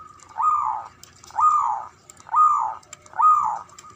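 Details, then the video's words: Ngoar manggung of a male zebra dove, a call for sparking mating arousal: four rough, arched, nasal notes, each swelling then dropping, about one per second, in a quiet indoor-sounding setting. "SUARANYA🔊 PALING DI CARI UNTUK PENDONGRAK BIRAHI & EMOSI❗NGOAR MANGGUNG"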